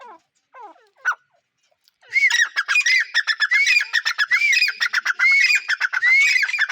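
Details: Teeter, or grey francolin: after two seconds of faint scattered chirps, a loud, harsh, continuous series begins, with arched ringing notes interleaved with rapid pulsing clicks and repeated steadily to the end.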